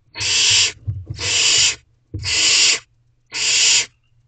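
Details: Wild barn owlets in Owl Box C at a nighttime food drop-off give loud, broad, breathy screeches in four long bursts, with soft thumps and shuffling in the box between them.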